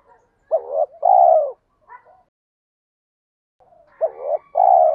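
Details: Spotted dove 'thúc' lure call for provoking wild birds: two phrases, each a short wavering note followed by a longer, steady, mellow coo, separated by about two seconds of quiet.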